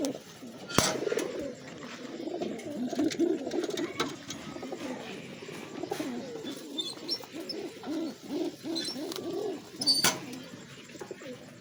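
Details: Racing pigeons at a loft in Alaminos, Laguna, during training, cooing together in a steady overlapping murmur of low, throaty, rolling coos, with a couple of sharp clicks or knocks.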